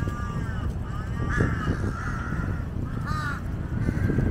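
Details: Drawn-out, rough caws of jungle crows in a flock circling a monitor lizard's snakehead meal, partly masked by heavy low-pitched background noise.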